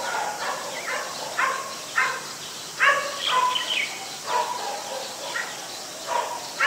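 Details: White-vented myna in Ubon Ratchathani, Thailand, recorded 14 December 2020: a series of harsh, buzzy, harmonic calls repeated about every half second to second, some with rising whistled notes, over a steady background hiss.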